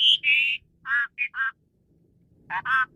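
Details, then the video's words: Asian pied starling singing, recorded as tutor song for training other songbirds: harsh, nasal, buzzy notes in short bursts, opening with one high whistle, then grating syllables after a pause. "Ocehan Burung Jalak Suren"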